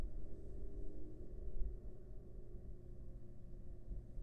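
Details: Only a low, steady rumble and hum with faint background noise are heard; no calls or other animal sounds come through.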